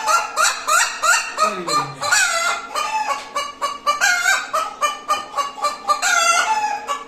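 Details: Hen cackling after laying an egg. Continuous, loud clucks and honking squawks run almost without pause, with one descending low sweep near two seconds.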